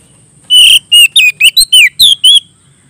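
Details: Oriental magpie-robin singing loudly and clearly to call a rival: a rapid series of about eight bright, whistled phrases, each sliding and warbling at high pitch and separated by short pauses. The background is quiet.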